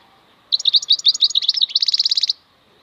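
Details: European goldfinch, called maknine khalwi, singing a bright jingling phrase of varied quick notes that flows into a regular fast trill, all high-pitched and clear.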